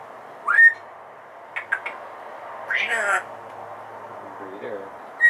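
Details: Female Congo African grey parrot kept indoors as a pet: a rising chirp, short clicks, a louder rough warbling note, a faint low wobbling sound, and a final sharp chirp.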